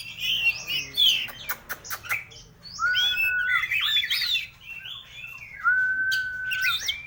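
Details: White-rumped shama song mixing warbled phrases, quick clicks and long, steady whistled notes held for about a second, with pauses between bursts.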